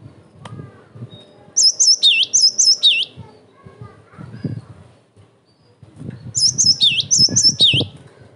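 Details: A Cinereous tit singing emotionally, used as a lure and tutor song for other tits: two bursts of high, ringing two-note phrases, about five quick repeats each, over a low background rumble.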